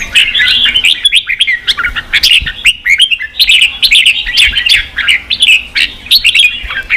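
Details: Red-whiskered bulbul song used to provoke fighting and train voice in a young bird; rapid bursts of bright, slurred whistled notes with sharp clicks, delivered in quick phrases with brief gaps.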